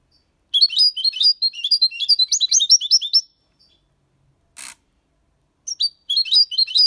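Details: European goldfinch, age six months, Malaga copy song: rhythmic run of high, tinkling chirps for nearly three seconds, a short click-like noise, then twittering starts again.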